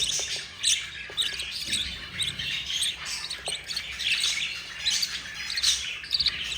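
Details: A yellow mother budgerigar feeding four babies; the chicks give a dense, scratchy chatter of overlapping raspy calls, swelling and fading, with occasional sharper squeaks.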